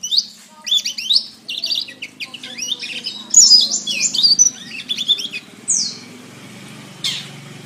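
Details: Training master of a canary singing: bursts of fast high trills and buzzy warbled phrases for about five seconds, then two isolated sweeping notes over a faint low hum.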